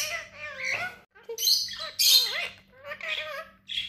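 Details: Tame pet parrot, one of three talkative birds that talk like humans: raspy, speech-like phrases with rising and falling tones, broken by short pauses and harsh squawky syllables.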